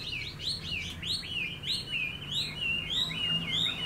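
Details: Chinese hwamei kept caged, sings a steady chain of quick whistled notes that rise and fall about three times a second, clear over a soft low rumble.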